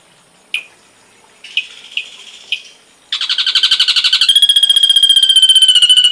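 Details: Ashy drongo singing as tutor material: a few sharp, isolated high chips over faint hiss, then a harsh, broad rattle that turns into a fast, clean, high trill.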